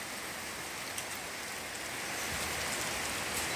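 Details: Steady rain patters throughout, with faint drop ticks and no animal voice standing out.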